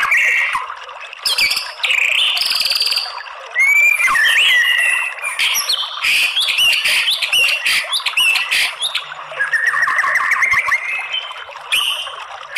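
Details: White-rumped shama lure song for provoking males: varied phrases of whistles, rising sweeps and rapid chattering notes, with short pauses between bursts across the whole stretch.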